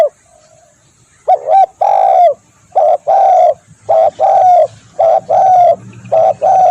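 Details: Spotted dove calling, a sound meant for luring birds. A soft low note leads into loud paired and tripled coos, each with a slightly falling tail, repeated at uneven intervals.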